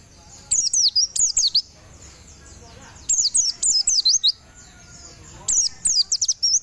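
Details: Caged Javan white-eye at morning sunning delivers three bursts of quick, high, sweeping whistles, each burst of several sharp down-slurred notes, with short quiet gaps between bursts.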